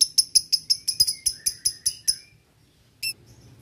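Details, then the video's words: Male lovebird calling out to a rival, used as a lure: a dozen crisp, high ticking notes about six per second, then a pause and one lone sharp tick. "Lovebird jantan memanggil lawan dibsertai ngetik ngekek"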